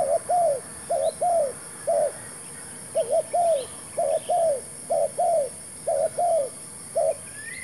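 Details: Decoy spotted dove calling during trapping with a newly brought bird and a new trap: regular chain of mellow coos, short doubled notes then longer falling ones, roughly one each half second, with a faint rising whistle near the end.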